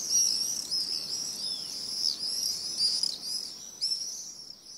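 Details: Wood warbler (Phylloscopus sibilatrix) song: high, shivering trills of rapid thin notes running together like a spinning coin on a marble slab, repeated in quick bursts over faint background hiss.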